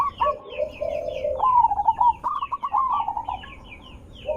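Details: Zebra dove lure call: a low rolling trill followed by a rising series of short cooing notes, slightly uneven and fading at the end.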